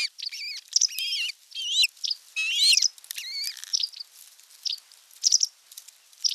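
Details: Ospreys at the nest on 27 June 2022 as a whole fish is brought for dinner. High, sharp chirping whistles, some with rising and falling inflections, come in rapid clusters and isolated bursts over a quiet background.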